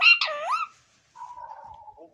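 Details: A pet parakeet talks as if on a phone call, saying in Hindi "main mithu bete": a shrill, speech-like burst with swooping pitch, a pause, then a quieter, flatter murmured phrase.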